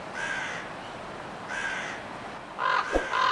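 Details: Crow caws: two drawn-out, rasping calls about a second and a half apart, then a louder pair of harsh caws close together with a sharp click between them, over low steady background noise.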